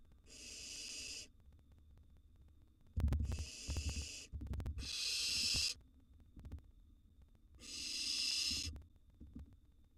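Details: Wild barn owl nestlings feeding in a nest box give four harsh, steady hissing screeches of roughly a second each. Loud thuds and scraping between the calls come from prey being handled and swallowed.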